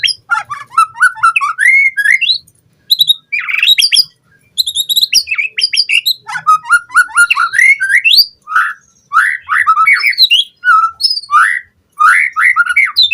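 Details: White-rumped shama song used to train captive birds, full of varied phrases: long, fast sequences of clear whistles, downslurs and rapid chattering notes, delivered in dense bursts with short gaps.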